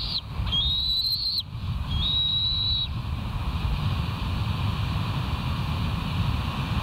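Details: West End bald eagles on a live camera, 20 September 2023 at 06:54: two drawn-out high whistles with a rising start, then only continuous low rumbling background noise for the rest.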